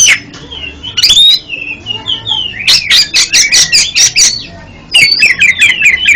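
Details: Song of an oriental magpie-robin (kacer), played to help birds that stutter: varied whistled phrases rising and falling, a rapid run of about ten loud harsh chips in the middle, then another burst of quick whistles.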